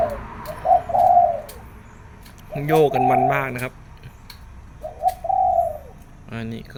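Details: Doves cooing in the morning, performing a three-part pattern; two low warbled coo phrases separated by a man talking over them.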